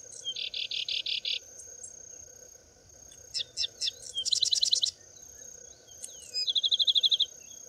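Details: Sedge Wren in preserved open grassland near Prados, Brazil, singing bursts of dry, rapid, high, insect-like chattering notes, each phrase a quick trill of five to ten units, over a steady high insect hum.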